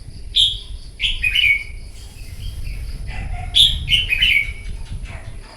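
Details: Competitive morning singing from a wild-caught red-whiskered bulbul: two bursts of rich, tumbling whistled phrases, each of three or four notes sliding downward, separated by a pause with faint chatter and a steady high whine.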